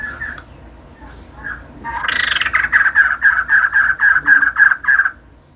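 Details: Female white-crested laughingthrush, a kept bird, with soft isolated notes and then a loud harsh onset leading into a steady train of about twelve rhythmic, ringing pulses.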